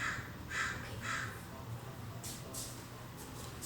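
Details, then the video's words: American crows caw in a California backyard, recorded from indoors; three harsh caws in quick succession, then several fainter, broadband calls further off, over a steady low hum. "เสียงกา อีกา ส่องนกธรรมชาติหลังบ้าน American Crow."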